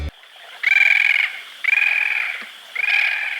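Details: Bridled tern (Onychoprion anaethetus), call.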